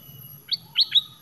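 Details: Red-whiskered bulbul lure call used to attract birds: three short sharp chirps with a bright, ringing quality, the last two closer together, over faint low hum.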